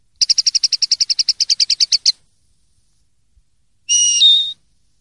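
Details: Common linnet song from a 2023/2024 clean-song recording: a rapid, even trill of about eighteen bright repeated notes lasting two seconds, a short silence, then one sustained whistled note that drops a step in pitch, with no background noise.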